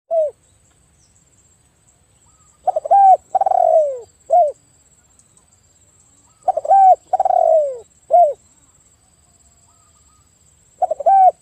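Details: Spotted dove, a loud-voiced 'gacor' bird calling as a lure for other spotted doves. Three cooing phrases, each opening with stuttered notes, swelling into a long descending coo and ending with a short clipped coo, with quiet pauses between.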